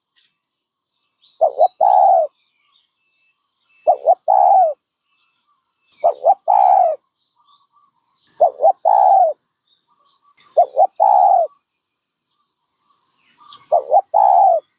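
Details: Steady series of six dove phrases across the recording, every one a soft double coo rising into a sustained lower note, spaced about two and a half seconds apart.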